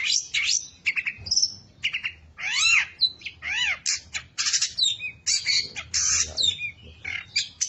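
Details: Long-tailed shrike, a competition singer, pouring out mimicked phrases to provoke rivals into singing: harsh squawks, arched harmonic whistles and high buzzy notes in varied sequence.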